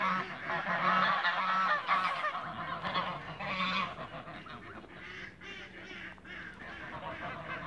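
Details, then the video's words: Toulouse geese in a backyard, meeting; harsh nasal honks overlap densely in the first four seconds, then a quieter, thinner stretch of scattered calls with a steady low hum underneath. "MEETING-TOULOUSE GEESE IN THE BACKYARD"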